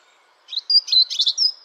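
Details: A European robin sings a short, bright phrase after a moment of silence: a quick thin whistle, then jumbled twittering trills and a final high drawn-out note, loud and close.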